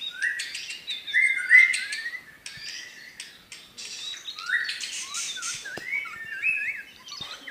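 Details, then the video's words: White-rumped shama, Medan, in 'tembakan' song: varied whistled phrases with rising and falling slurs, interspersed with sharp high clicks and dry chatter, uneven rhythm throughout. "tembakan burung murai batu medan"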